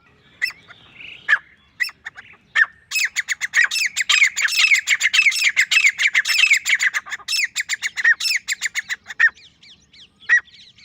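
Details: Grey francolin, a male calling alone, gives a long run of loud, harsh, ringing notes repeated several times a second for about six seconds, starting after a few isolated sharp notes and ending in scattered calls.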